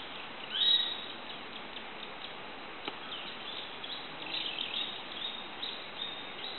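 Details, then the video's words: Golden-headed manakin at Asa Wright Nature Center in January 2011 gives one short, high, thin call near the start, then faint scattered chirps over steady forest hiss. "Golden-headed Manakin"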